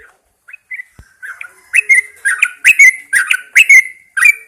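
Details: Caged Yellow-vented Bulbul hung outdoors in the early morning to encourage it to sing, singing to show its identity. A few soft notes lead into loud, bubbly, warbling phrases repeated roughly every half second, with short clear whistles between.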